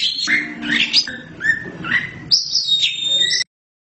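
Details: Kacer hitam, the black Oriental magpie-robin, singing vigorously (gacor): separate phrases of clear slurred whistles and scratchy flourishes, a long bright whistled phrase near the end, then the song stops abruptly.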